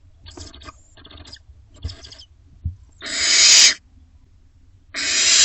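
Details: Barn owls with owlets in a nest box, late May to early June 2025: soft scratchy rustling bursts, then two loud, long, harsh rasping hisses, each lasting most of a second, the second cutting off at the end.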